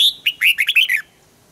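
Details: Red-whiskered bulbul being trained for morning singing in the double-note 'âm kép già rừng' style: a single crisp phrase of about six fast, slurred, bubbly whistled notes lasting one second, then quiet.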